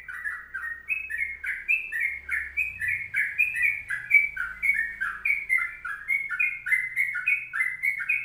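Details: Continuous long song of a sooty-headed bulbul in the 'kongslet panjang' style: bright, clipped, fluty notes bounce up and down in rapid succession over a faint low background drone.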